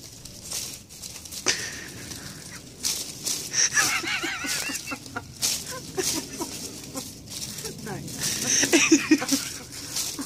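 A western jackdaw imitates the words "heart attack" in hoarse, wavering, speech-like bursts with a few sharp clicks, over people talking in Dutch.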